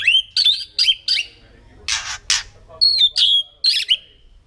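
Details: Forest-origin white-rumped shama giving a song of sweet whistled notes with rising and falling slides, broken by two loud rasping bursts midway, then more drawn-out whistles trailing off.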